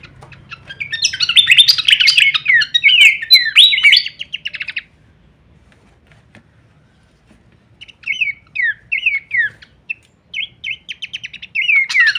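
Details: Horsfield's babbler, recorded as masteran training audio for songbirds in the full-variation kleperan style: a burst of dense, varied chattering and whistled phrases, a few seconds of silence, then short slurred whistles and quick twittering notes resuming.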